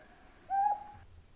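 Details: At night in Okinawa, a Ryukyu Scops Owl, a fairly common owl there, gives one short, clear, mid-pitched hoot that rises slightly, lasting about a third of a second, against a quiet background.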